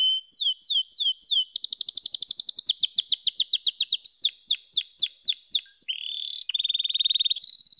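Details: Canary singing rapid repeated descending whistles that merge into a fast bright trill, then sweeping slurs, ending with pulsed rattling trills.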